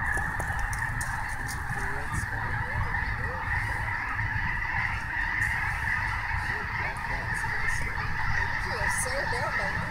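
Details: Many snow geese at Snohomish calling together, an even, ceaseless din of high nasal honks, a few individual yelps standing out, with low rumble throughout.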